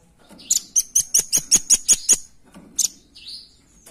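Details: Velvet-fronted nuthatch calling as a lure: a clear run of about nine loud, sharp, very high chip notes, evenly spaced roughly five per second, then a single chip and a short thin descending whistle.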